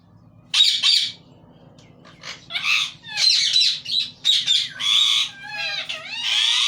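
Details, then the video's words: A pet talking parrot said to speak Urdu and Hindi, producing a string of squawky, speech-like syllables and rasping bursts, ending in rapid rising and falling whistled slurs, with a low steady hum underneath. "talking parrot"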